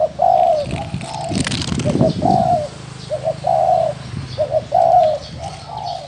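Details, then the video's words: Cooing of a wild spotted dove, a run of low hollow phrases with sustained tones and short doubled notes, broken once by a burst of rustling or flapping noise. "Tiếng chim cu gáy thổ đồng gù"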